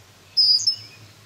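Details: Thin, high, drawn-out whistle with a slight flutter at the end, from a female red-winged blackbird swooping at a person and cat close to her nest in a yard; faint low hum behind.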